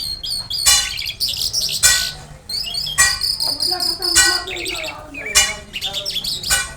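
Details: Pakistani Jal lark in lively song: scratchy twitters and sustained high trilled notes, broken by harsh loud bursts roughly every second, with a few lower buzzy notes mixed in.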